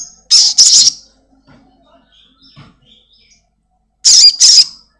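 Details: Black-winged myna kept at home, heard in a lure recording meant to get a caged bird calling quickly: a quick pair of harsh, scratchy bursts, nearly three seconds of near-silence with faint murmurs, then another grating pair.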